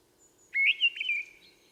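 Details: Mistle thrush song in the mountains of the Vallée d'Ossau, Pyrenees: a short fluted phrase of clear, slightly wavering whistles around a steady mid-high pitch, lasting under a second, over faint background hum.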